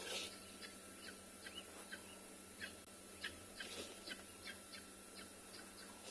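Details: Guineafowl at sunset on 18 November in Tswalu Kalahari Reserve, South Africa, give harsh, scratchy bursts of chatter at irregular intervals, sounding disturbed and unhappy.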